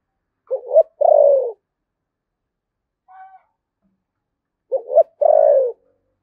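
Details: Spotted dove cooing in the 'thổ sấm' style of Đồng Nai, Vietnam, 'Thúc Gù' manner. Two deep phrases of paired short notes, each leading into a sustained descending coo, separated by a faint brief tone.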